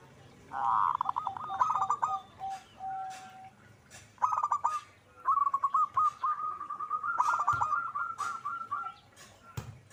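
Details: Zebra dove singing with vigour: a rich rolling coo phrase, a pause, then long runs of quick, evenly pitched cooing notes that trail off near the end, with occasional knocks.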